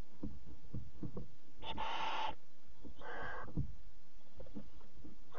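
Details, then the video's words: Night at a barn owl nest, 03:00 on 26 July 2017, as the mother delivers a bird to chick number four; two rough, airy hisses in quick succession, the first louder, amid faint knocking and rustling. "Kerkuil ma met vogel voor kuuk4 03.00 uur 26 juli 2017"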